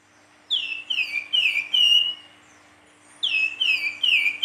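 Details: Silver-eared mesia with a flute-like nyuling song: a run of four loud, clear whistles, each sliding downward, ending on a longer held note, followed after a short silence by another similar descending run.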